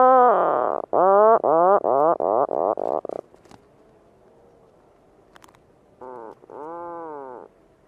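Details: Puffin calling with a rapid series of about eight short, rasping pulses, then a pause, then a short note and a longer arching moan.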